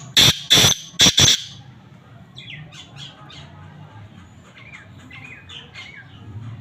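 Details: Male black francolin calling: four loud, harsh, grating bursts come in quick succession in the first second and a half, followed by faint, high chirps from small birds.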